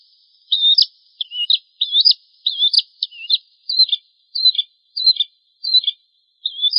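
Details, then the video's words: Tutor song of a bar-winged prinia (prenjak Jawa) used to train cage birds: a rapid run of high zigzag chirps, then sharper descending notes, about a dozen phrases in under seven seconds, no other sounds. "Suara Masteran Burung Prenjak Jawa"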